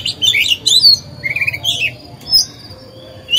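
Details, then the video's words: Oriental magpie-robin, caged decoy singer, song meant to provoke other birds; rich warbled notes followed by a held thin whistle and a sparse sharp chirp, with quieter gaps. "Chòe than hót hay, luyện mồi, kích bổi, tập chim non"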